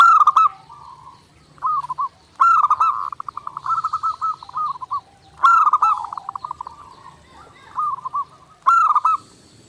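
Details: Nonstop zebra dove song for training: crisp accented notes launch rolling trills of rapid cooing pulses, with short gurgling phrases between and a low background hum.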